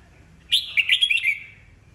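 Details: Red-whiskered bulbul, an old wild-caught cage bird, singing to provoke rivals: one quick cheerful phrase of five or six bright warbled whistles, tailing off into a fading trill, with little background noise.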